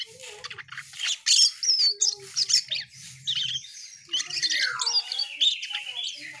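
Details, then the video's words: Asian pied starling singing actively: a busy, varied run of high chattering notes, squeaky whistles and harsh rasps, with a few lower whistled slurs and a faint low hum beneath. "Burung cucak Keling Gacor"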